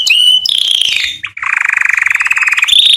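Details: Canary singing to attract females for mating, a loud whistled note followed by a gently descending trill and a long, evenly pulsed rattling roll before a high whistle returns.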